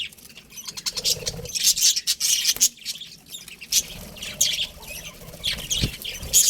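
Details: Budgies give uneven bursts of high, grating chatter and sharp squeaks, separated by short pauses. Faint low rustling runs underneath, with a brief thud near the end.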